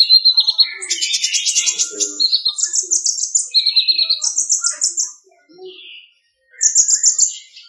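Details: Olive-backed sunbird (kolibri ninja) from Bali singing a competition song, an example of irama lagu with varied fill-ins and prominent phrases: bursts of fast, high buzzy trills and sharp chips switching pitch, a short silence, then another trill.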